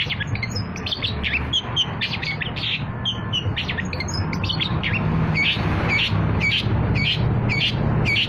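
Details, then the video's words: Long-tailed shrike (cendet) song played as a trapping lure, a busy run of sharp chips, squawky notes and brief high whistles, densely repeated, with a constant low hum of traffic-like noise underneath. "PANCINGAN CENDET, CENDET GACOR"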